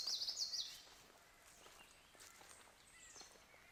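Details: A Common Yellowthroat sings its 'witch witch witch' song, a quick burst of bright, high, rolling notes, with an Eastern Towhee also singing nearby, then fainter distant chirps over a steady outdoor hush.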